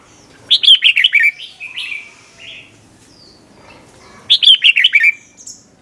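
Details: Red-whiskered bulbul song in the doubled 'bern' style called '100 Achip', meant for training young birds: two quick bubbling phrases of about six lilting notes each, with softer chirps between them.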